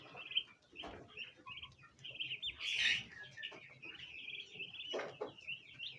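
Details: A flock of domestic Bronze turkey poults gathered around a plant basin, trying to eat, peeping nonstop: high thin chirps overlapping and wavering, with a few soft knocks and rustles underneath.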